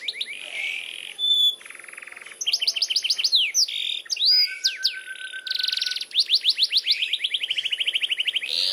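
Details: Canary singing a long rolled song, mixing buzzy trills, steady whistled notes, quick repeated rising phrases and fast rattling rolls in varied sequence.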